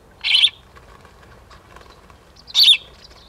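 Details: Female house sparrows quarrelling at sunrise in rural Limousin, 5 December 2016, autumn: two loud, harsh chirps roughly two seconds apart, each short and buzzy, against faint low background hum.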